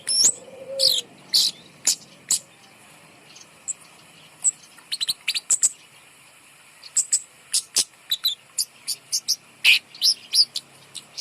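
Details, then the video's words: Kemade bird hanging above to prompt lazy birds to sing pours out dense, very high chirping phrases in bursts with short gaps, opening over a brief low whistle. "gantang burung kemade di atas untuk pancingan burung malas bunyi"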